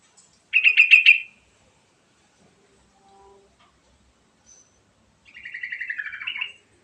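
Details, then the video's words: Sooty-headed bulbul song, played to encourage other birds to sing: a fast burst of pulsed bright notes, a quiet gap, then a longer chattering run that dips and rises again. "Kicauan Burung Trucukan Gacor Isian Mewah Paling Cepat Bikin Bunyi"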